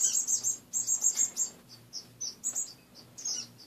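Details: Morning calls from pet finches in a cage: rapid run of high buzzy chirps, then short single notes spaced about a third of a second apart, faint hum underneath.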